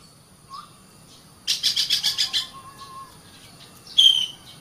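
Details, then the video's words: Oriental magpie-robin singing, used as master song for training caged birds in the morning or evening: a short low whistle, a rapid buzzy trill of about eight pulses, a soft drawn-out whistle, then a sharp bright high note. "SUARA BURUNG - Masteran Terbaik Kacer"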